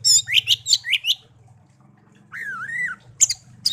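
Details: Pet songbird raised by hand from a young bird found in a garden gives a rapid series of squeaky, squawking notes. After a pause comes a long wavering whistle, then sharp high chips, with a low hum in the background.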